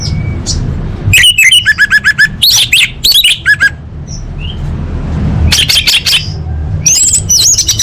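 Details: Orange-headed thrush singing as a lure for caged birds: rapid series of sharp, repeated high notes and descending slurs in two main bursts, with faint soft whistles between and a low hum beneath.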